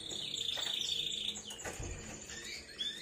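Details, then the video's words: High canary song from a three-month-old young canary: a long, steady whistled tone, then scattered short rising and falling sweeps over a noisy, hissing background. "MASTERAN KENARI PAUD AGAR NGRIWIK PANJANG"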